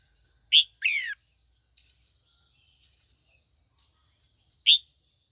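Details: Afternoon calls of a trained female red-whiskered bulbul meant to draw seasoned wild-caught males into singing contests: a sharp chirp, then a buzzy descending phrase, a long silence and one more chirp, constant thin whine throughout.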